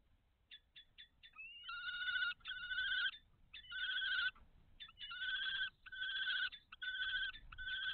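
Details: At a nest box on 17 May 2023, during brooding and food deliveries between male and female, a common kestrel gives a few short clipped notes, then long buzzy, quavering trills in roughly one-second bursts with brief pauses.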